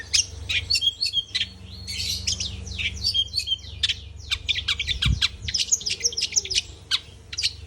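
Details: Lively long-tailed shrike song, a nearly continuous chatter of scratchy chirps, trills and bright whistles delivered at high speed, with a faint background hum and one soft thump.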